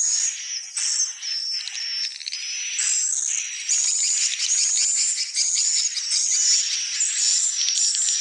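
Swiftlets twitter in a dense, high-pitched stream of chirps, the bursts overlapping almost continuously with a soft hiss beneath.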